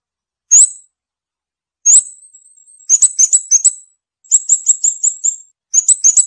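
Scarlet-backed Flowerpecker giving very high, thin, sharp notes, first singly, then in quick clipped runs of four to six. No other sounds stand out.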